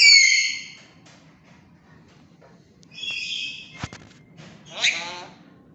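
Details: A tame pet black-capped lory (Lorius lory) that also talks gives a loud, harsh, stacked squawk, then a nasal, voice-like call and a final rasping, wavering note, with quiet background hum between.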